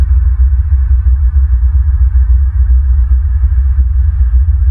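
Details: Steady low throbbing hum with a pulsing electronic beat, like machinery or distorted music, and no animal calls.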